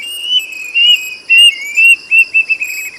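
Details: Plaintive cuckoo singing loudly, clear whistled notes slightly wavering and falling, given in short bursts several times a second, over a steady high insect drone.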